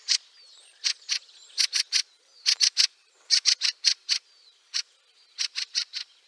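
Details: Fieldfare in snow at Liepāja, Latvia, in March 2023, giving harsh, dry chack calls in quick clusters of two or three. Fifteen or so bursts arrive at uneven intervals, with faint thin twittering behind them.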